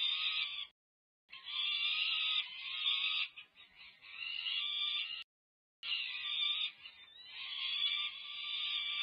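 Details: Peregrine falcon chicks five-plus weeks old at the UC Berkeley nest, California, May 2023, begging loudly while fed; long grating screams interrupted by two brief silent gaps.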